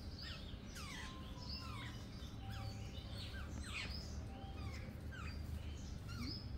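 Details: Several jungle babblers in a group chattering continuously. Thin squeaky notes glide down and up, overlapping in a dense, restless chorus above a low hum.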